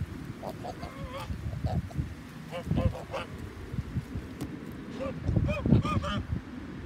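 A gander gives short, nasal honks in loose bursts, calling for his absent mate over a heavy low rumble of wind and background noise.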